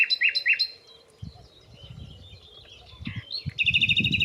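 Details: Nightingale singing hidden in nearby bushes, present there for a few weeks; opens with pairs of loud rising whistles, then softer chattering notes, and ends in a rapid, even trill of repeated notes over faint low background rumble.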